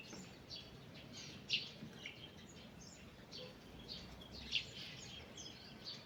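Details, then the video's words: Forest birds at morning give sparse high chirps and faint twitters, two brief sharp notes rising above a constant soft hiss of ambient noise. "Morning Birds Singing in the Forest"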